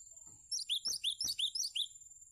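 Cinereous tit singing a quick run of about eight high, bright notes that sweep upward, delivered in under two seconds over a faint steady high hiss.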